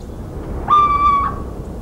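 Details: Little owl gives a single clear, drawn-out, mellow hoot of about half a second against faint background hiss; recorded in countryside of central France on 17 March 2019.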